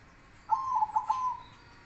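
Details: Zebra dove, Silver variety singing in contest: a single rolling coo phrase of about one second, made of four quick pulses on a steady low pitch, fading at the end.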